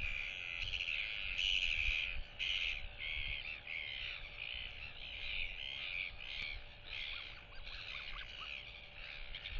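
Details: Young royal albatross chick on its hillside nest, displaying and whistling toward two neighbouring chicks, turning its head side to side; repeated bright, harmonic whistled notes in quick, uneven bursts over a low rumble of wind, recorded 8 July 2023.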